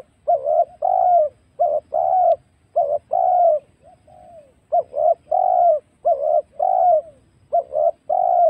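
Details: Wild spotted dove cooing, a recording used to lure birds into traps. Phrases come in close succession: short stuttering notes, then full mellow coos that drop at the end, repeated steadily with brief gaps. Background is quiet.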